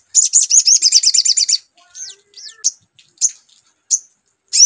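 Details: Sogon song used to lure: a quick, high, trilling run of buzzy notes for about one and a half seconds, then several single sharp chirps and soft twitters.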